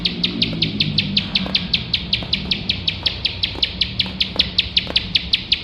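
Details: Unbroken series of sharp, high ticking notes from a bar-winged prinia, about three each second, over low background rumble; recorded for training competition birds.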